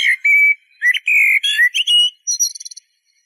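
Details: Eurasian blackbird song: a drawn-out flute-like whistle, then several varied warbling notes, closing with a rapid burst of thin, high chittering notes. Otherwise quiet.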